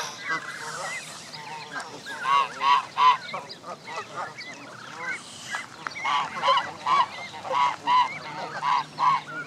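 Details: Canada geese, part of 29 families with goslings assembled at Jess Ranch Lakes Park on May 23, 2014, give clear, evenly spaced nasal honks in runs of three to five, with quieter flock chatter between bursts.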